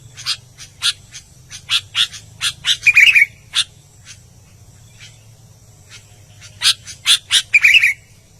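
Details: Albino sooty-headed bulbul in vigorous song: bursts of rapid scratchy chips, each burst ending in a brief liquid whistled flourish, with a quiet pause between bursts and a low steady hum beneath.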